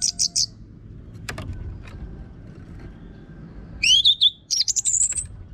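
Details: Orange-headed thrush from northern Bali, song used as training for caged birds: a few high buzzy notes, a faint sharp click, then a rising whistle and a fast run of scratchy warbled notes.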